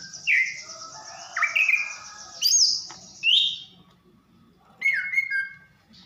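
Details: Female greater green leafbird, Banyuwangi, calling to arouse a male: scattered rising and falling whistles and a sharp upslurred note over a thin, high steady tone and a soft low hum.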